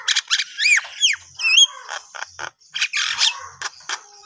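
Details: Javan myna singing in the morning: harsh squawks mixed with whistled rising and falling slurs and scratchy broadband bursts in a varied, jumbled sequence.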